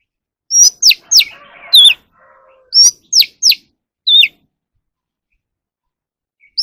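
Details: Captive Oriental magpie-robin singing as a voice-training recording: bursts of crisp high downslurred whistles in quick pairs and triplets, one soft scratchy warble between them, a bent whistle, then quiet before a final note.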